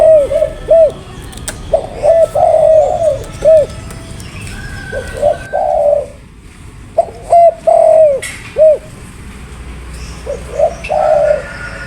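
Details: Spotted dove cooing in loose bursts: clusters of short, soft, hollow hoots mixed with longer purring notes, separated by pauses of one to two seconds, with a faint click or knock now and then.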